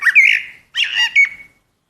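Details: Common blackbird (Turdus merula) producing two short, rich warbling phrases, each with a clear whistled note trailing off at the end, in a quiet background.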